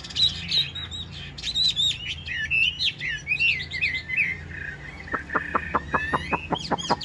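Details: Chinese hwamei, yellow-billed and caged, sings in the rain: warbled looping whistles giving way to a rapid sequence of sharp downward strokes.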